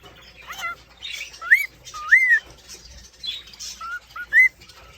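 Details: Male cockatiel whistling to court a female in an indoor aviary; short clear whistled notes that rise and curl upward, spaced irregularly with pauses, over faint background chatter of other birds.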